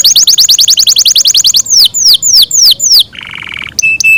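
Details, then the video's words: Captive Yorkshire canary sings a long melodious song: a fast, high rolling trill, several slower downslurred whistles, a brief nasal buzzing phrase, and two clear piping notes. "yorkshire canary long melodious sound"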